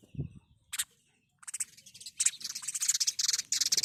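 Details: House sparrow chirping: after a couple of isolated notes, a run of short, bright, high chirps repeats quickly and unevenly in the second half.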